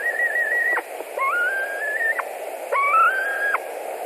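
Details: A white-tailed eagle at its nest in Latvia, 21:09 on 11 July 2020, while a bird returns for dinner: three drawn-out, slightly wavering whistles, each ending in an abrupt downward drop, over a low droning hum.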